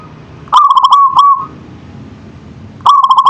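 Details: Local zebra dove (perkutut) manggung song: one full phrase of rapid rhythmic coo pulses that ends in a drawn note, then the start of the next phrase after a brief pause.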